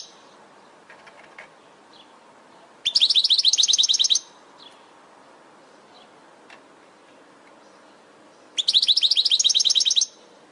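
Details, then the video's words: European goldfinch song from a training recording for caged birds: two high, bright bursts of rapid twittering notes, each lasting over a second and separated by several seconds of near silence with faint chirps in between. "Goldfinch From Training Video"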